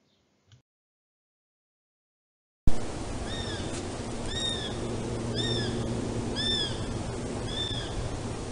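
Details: A Eurasian Sparrowhawk in Central Europe gives thin, high, down-slurred whistles, one about every second, over a steady low hum.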